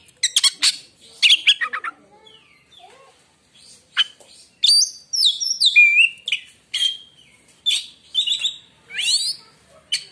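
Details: Oriental magpie-robin singing a song said to make other magpie-robins fall silent at once: rich bursts of clear whistles, rapid buzzy trills and sweeping rising and falling notes, delivered in short phrases separated by brief pauses.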